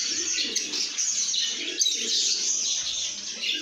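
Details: Several lovebirds in a good mood chatter and chirp nonstop, a thick layer of shrill, overlapping twitters with soft low cooing-like sounds below.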